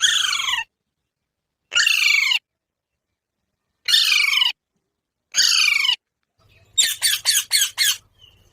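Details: Parrot giving four loud harsh squawks, each dropping in pitch and spaced about 1.5 seconds apart, then a quick run of five sharp, clipped chirps at the end.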